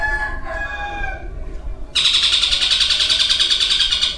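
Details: Caged long-tailed shrike with a mimicked repertoire of kingfisher, sparrows, kuntilanak and lovebird; faint tones at first, then a sudden loud, rapid buzzing rattle that continues steadily.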